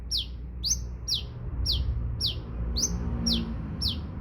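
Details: Repeated bright, descending sunbird notes, eight in quick regular succession, each a short high slur, against steady low background noise.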